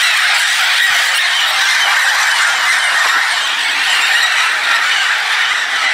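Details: At Rio Castro, Itanhaém, São Paulo, Brazil, in May 2017, a flock of red-tailed amazons arrives, the last birds coming in, in a dense chorus of harsh, overlapping squawks and screeches without pause; Red-tailed amazon.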